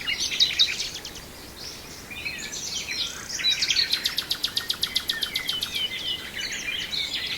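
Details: Brijeste nightingale song opening with high whistled notes, then a steady rapid series of about twenty loud, evenly repeated pulsed notes lasting two seconds, ending in twittering phrases over faint background birds.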